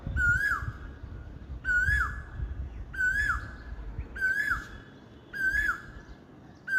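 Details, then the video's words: Spring dawn song of an Asian koel: a steady series of six ringing whistled notes, each rising then falling sharply, spaced roughly 1.2 seconds apart, with low rumbling noise underneath. "বসন্তের ভোরে কোকিলের সুমধুর কন্ঠ"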